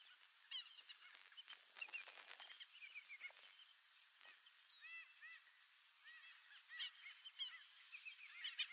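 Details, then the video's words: White-faced whistling ducks (Dendrocygna viduata, irerê) giving many clear, high whistled notes, often in quick three-note runs, overlapping as several birds call together. "WHITE-FACED WHISTLING-DUCK (DENDROCYGNA VIDUATA), IRERÊ."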